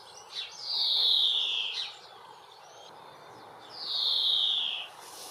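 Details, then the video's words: Female European greenfinch in a UK garden gives two long, drawn-out, wheezy notes that slide downward, each lasting over a second and separated by about two seconds of quiet, with faint background hiss. "Greenfinch Call bird sounds uk"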